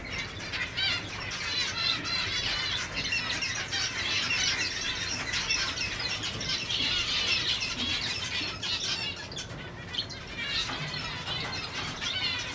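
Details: A grey hen (female) zebra finch, being prepared for the 2019 show season, amid a dense chorus of nasal, toy-trumpet beeps and squeaky chatter.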